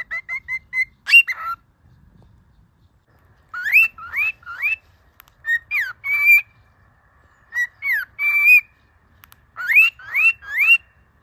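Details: Cockatiel, a pet bird teaching a companion to sing and talk, gives groups of rising whistled slurs in bursts of three or four, separated by pauses of one to two seconds, with a few quick short notes at the start.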